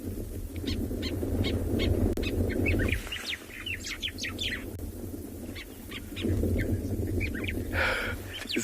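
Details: On a morning safari in South Africa on 15 October 2020, white-browed sparrow-weavers repeat sharp, high alarm chirps in quick, uneven bursts, several birds together mobbing a motionless snake. A low rumble and a man talking run underneath.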